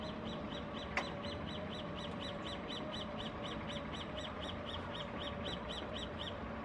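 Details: Roadside hawk (Rupornis magnirostris), a resident of the Bogotá savanna but scarce at Ronda El Virrey Ecological Park, calling on a morning of 17 November 2016: a long, steady series of high, nasal notes, about four each second, over a low hum and a single sharp click.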